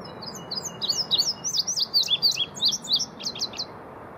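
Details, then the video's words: Indigo bunting call: a quick run of high, sweet, sweeping notes, many in pairs, over about three seconds, above a soft low rumble. "Indigo Bunting Call"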